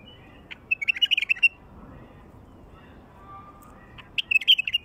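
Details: Wild bulbul song, used to draw in other wild bulbuls: a short burst of rich, liquid whistled notes, then a pause and another quick warbled phrase near the end, over faint background hiss.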